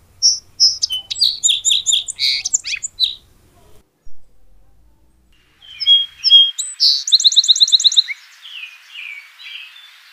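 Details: Song sparrow giving two songs separated by a pause. Each opens with high whistled notes, moves into jumbled chips, then a rapid even trill and lower slurred notes; clean, quiet background.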